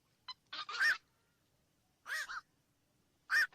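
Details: Black-crowned night heron uttering three groups of gruff, honking croaks, the first a short stuttered pair, separated by clear silences.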